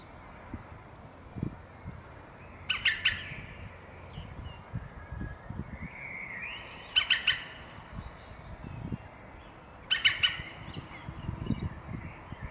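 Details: Visiting Japanese green woodpecker calling in short clusters of three or four harsh, rasping notes, repeated roughly every three to four seconds over a soft rural background with occasional low knocks.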